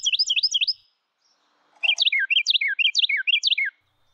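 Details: Male Carolina Wren singing a loud, clear, rolling song of rapid whistled notes. A short burst of quick repeated phrases is followed by a pause, then a two-second series of about five repeated three-part phrases. No other sounds.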